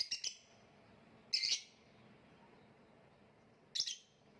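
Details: Lovebird giving short shrill high chirps in three separate bursts spaced over a few seconds, quiet between them, in gantangan macet style.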